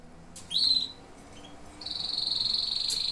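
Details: Song of canaries: a single rising whistled chirp, a pause, then a rapid, evenly pulsed high trill running to the end.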